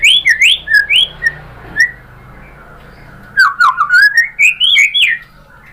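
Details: White-rumped shama singing as a lure to provoke other birds: rich whistled phrases with rising and falling slurs, a quiet gap, then a rising sequence of fluty notes.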